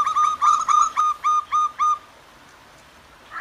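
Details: Wild zebra doves, male and female, exchanging calls by gently flowing clear water on a morning. Roughly nine cooing notes, fast at first then spacing slightly, stop after two seconds, leaving water hiss before another call starts.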